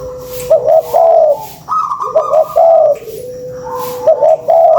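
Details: Spotted dove calls used as a lure: deep cooing phrases of rolling, hooting notes, repeated roughly every one to two seconds, with a steady higher tone behind and overlapping coos suggesting more than one bird.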